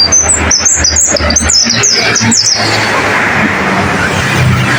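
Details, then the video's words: Pleci (white-eye) master song for training caged birds: quick high chirps and short upward-flicking notes strung into a lively twitter for about two and a half seconds before loud hissing noise takes over. "Masteran pleci, dengarkan suara ini pasti plecimu langsung gacor"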